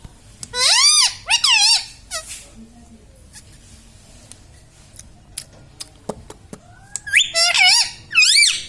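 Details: Laughing pet Indian ringneck parakeet indoors: quick bursts of arched, harmonic voice-like notes at the start and end, separated by clicks and quiet room sounds.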